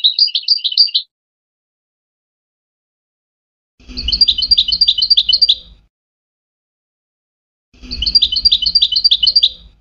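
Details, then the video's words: Goldfinch tutor song for hybrid chicks: three bursts of very rapid high chattering notes, the last two backed by a low rumbling thud-like noise underneath. "The best singing to teach hybrid chicks and goldfinch"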